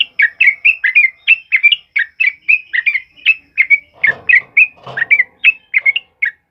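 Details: Sooty-headed bulbul in loud, rapid ropel uplik song used as a training model for other birds: a steady stream of short, bright chirped whistles about three per second, with a brief patch of rustling noise midway.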